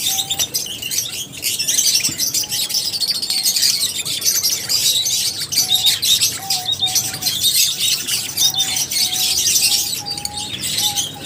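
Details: A crowd of lovebirds chirping, an unbroken stream of high, raspy twitters and squeaks, with a faint thin tone drifting in and out.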